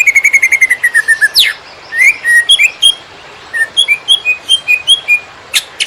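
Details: Master song of a greater green leafbird for training other birds: a rapid descending trill, a steep sweep, then spaced whistles and chips jumping between pitches.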